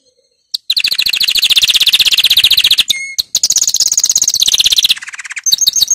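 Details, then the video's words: Powerful canary training song: after a silent opening, long fast rolling trills pulse about four times a second, broken by a short pure whistle, then more trills shift between higher and lower pitches. "Canary 's most powerful song for training"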